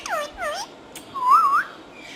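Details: A green talking parrot gives two quick swooping whistles, then a longer wavering tonal whistle that rises and dips smoothly.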